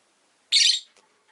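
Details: A caged pet rosy-faced lovebird by a window gives a single loud, harsh, broadband chirp, followed by a faint shorter note.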